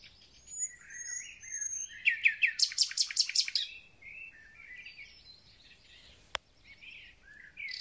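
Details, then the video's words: Thrush nightingale in spring song: high thin whistles, then a loud rapid run of repeated clicking notes, followed by softer warbling phrases and a single sharp click. "Słownik Szary koncert na całego to znak że zaczęła się wiosna"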